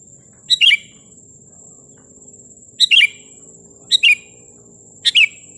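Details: Sooty-headed bulbul song used to anger rivals and draw wild birds in: four brief gurgling phrases of two or three fluty notes each, spaced irregularly, with a constant thin high whine running underneath.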